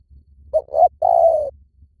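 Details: Spotted dove call used as a lure to draw in wild doves: two short hooting coos followed by one longer, gently falling coo, low and mellow, clear and close over a faint low hum.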